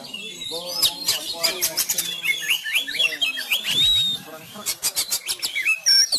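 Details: Fighting-style song of a caged Sumatran Oriental magpie-robin, kept training at home while contests paused for the Covid-19 lockdown: dense tumbling whistles, trills and sharp ticking notes, steady and energetic for six seconds.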